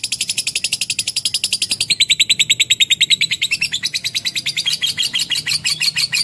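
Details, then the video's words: Lovebird song: a fast, unbroken stream of shrill, raspy chirps, roughly three per second, shifting slightly in pitch midway and running on steadily throughout. "AUDIO BURUNG LOVE BIRD JERNIH DAN PANJANG"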